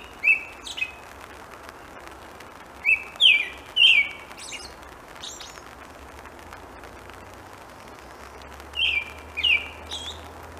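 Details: Singing in rainfall, an American robin gives short caroling phrases of two or three whistled, downslurred notes, a pause of several seconds between groups, with constant rain patter beneath.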